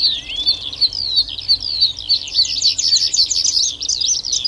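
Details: Bluethroat in full song, a dense rapid jumble of high twittering notes, short whistles and scratchy trills pouring out almost without a break, with a soft steady background hum.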